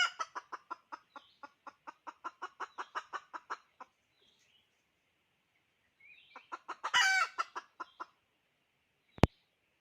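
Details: Decoy hen chicken calling: a steady run of sharp clucks for several seconds, a pause, then another cluck series that bursts into one loud harsh squawk, followed by a final sharp click.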